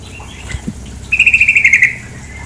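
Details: Short chattering trill of about ten quick even pulses from a female sooty-headed bulbul, preceded by faint soft knocks and set against a quiet murmur of running water.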